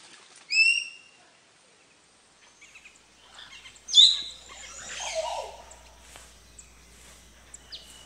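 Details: Common green magpie in its natural habitat, giving a short clear whistle followed about three seconds later by a loud, harsh, rasping burst that trails into lower scratchy notes, over quiet background.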